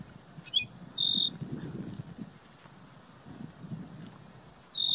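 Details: Black-throated sparrow at Gunlock Reservoir, Washington County, Utah, 12 May 2016, giving high clear introductory notes followed by a flat buzzy trill, sung twice, with scattered faint ticks and soft low background rumble between phrases.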